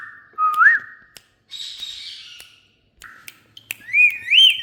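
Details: Talking Indian ringneck parrot: a rising whistled slur, a harsh noisy squawk-like phrase, then bent whistled syllables rising and falling, with sharp clicks between.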